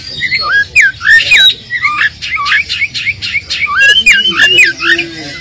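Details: Oriental magpie-robin lure song meant to goad an unexcited bird into replying: a rapid, varied run of looping whistles and sharp chattering notes, about three or four phrases per second, sustained throughout.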